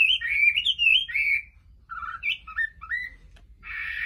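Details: Hwamei singing: quick fluid warbled whistles, then a pause and a few lower slurred notes, ending in a brief buzzy harsh burst.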